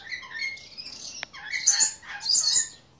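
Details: A captive pair of lories recorded 15 May 2017, listed as Eos reticulata, a one-year-old male and a two-year-old female, give harsh, screechy squawks in short uneven bursts, high and raspy, with brief thin chirps between them.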